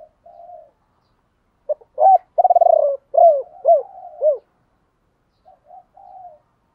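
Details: Spotted dove kept as a decoy, cooing in the 'ba hậu' or 'bổ ba' style to draw in wild birds: quiet opening coo, a buzzy rolling phrase, three falling hoots, and a soft coo at the end.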